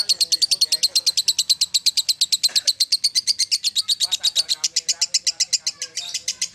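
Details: Competition lovebird from Central Java, Indonesia, known at local and national contests, singing a fast run of sharp, high chirps, about seven a second, steady and even through the whole stretch, with faint background murmurs.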